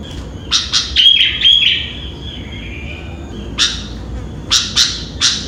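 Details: Morning song of a sooty-headed bulbul at about five o'clock: quick clustered chirps with a couple of clear whistled notes, then a pause and more sharp, spaced chirps, over a constant low hum.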